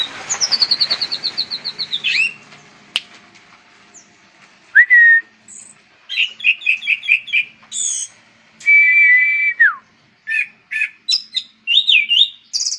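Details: Anis cendana thrush song: a run of rapid repeated high whistled notes, then varied phrases of slurred whistles, trilled notes and a long steady whistle that drops sharply, with brief pauses between bursts.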